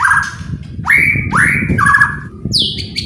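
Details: White-rumped shama song for provoking other birds into singing. Strong upswept whistles, one after another, and a warbled phrase, then a high falling note, over a steady low murmur.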